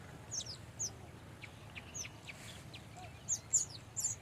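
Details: Baya weaver birds, males and females at a colony of nests, give scattered short, sharp, high chirps, single and in quick pairs, some louder toward the end, over a steady low background hum.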